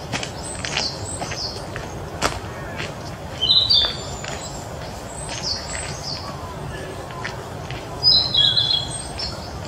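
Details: Young Narcissus flycatcher singing at Mizumoto Park on 1 May 2023: two short bursts of high, sweet whistled notes about five seconds apart, separated by quiet hissy background with faint distant chirps.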